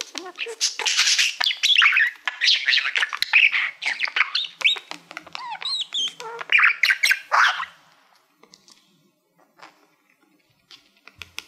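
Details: Budgerigar, a male pet fond of mirrors, singing at a silver plaque: about eight seconds of busy, chattering warble with squeaky rising notes and clicks, fading to a few faint ticks.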